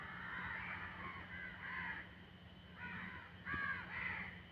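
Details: Crow shouting at midnight: a string of harsh, nasal caws, several in quick succession, then a pause and two more. Steady low background noise throughout.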